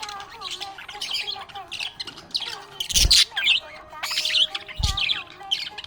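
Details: Budgie chirping happily, a steady run of high scratchy twitters and squawks with two loud bursts, and a faint continuous low tone in the background.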